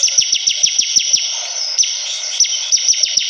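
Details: Bar-winged prinia singing lively, evenly spaced sharp descending high chips about six per second, a short pause, then more chips in a quicker cluster, over a steady high hiss.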